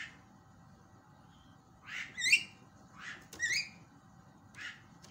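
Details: Javan myna lure sound meant to make quiet mynas call again: spaced harsh, scratchy squawks with twisting upper notes, about one every second, over a faint steady hum.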